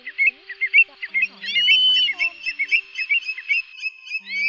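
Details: Greater sand plovers, used as a lure call for night net-trapping during the August 2024 migration: short, bright trilling chirps in quick overlapping bursts, several birds calling at once with a thin whistle running through.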